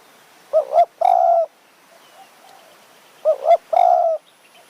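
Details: Spotted dove in high-mountain forest of Kanchanaburi, Thailand, lured with a decoy bird; a small-voiced, fierce caller. The phrase comes twice, about three seconds apart: two short bubbling coos, then a sustained mellow croon.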